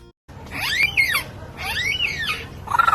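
A lyrebird gives two arching, rising-then-falling whistled sweeps about a second apart, rich and slightly harsh, with a brief higher note at the end.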